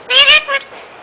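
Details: A speaking parrot utters two quick, speech-like syllables with a strong ringing, harmonic tone, followed by a shorter third sound and quiet room background.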